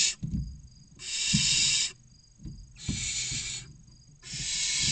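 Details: Barn owl chicks, six of differing ages from 16 to 29 days, begging for food inside a nest box in Cabañeros National Park, Castilla-La Mancha: four long hoarse hissing screeches with thumps and shuffling in between.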